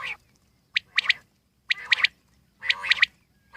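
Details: Wild common quail giving loud, sharp notes in tight groups of two or three, each group opened by a lower nasal slur, repeated about once a second in a quiet setting.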